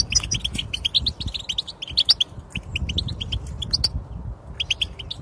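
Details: European goldfinch twitter for silent goldfinches: quick bursts of sharp, high chirps and trills, a short pause, then the chattering picks up again.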